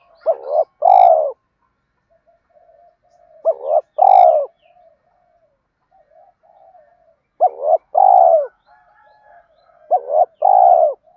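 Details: Spotted dove calling in the thúc gù and gáy gọi styles, used to excite doves in training: four loud two-part coos, each a quick double hoot then a longer note, every three to four seconds, with soft murmuring between.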